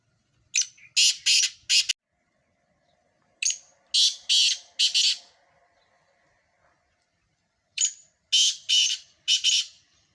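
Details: Sindhi black francolins, four birds in a calling match, repeat the same harsh phrase three times. Each phrase is four grating, buzzy notes, spaced about three seconds apart.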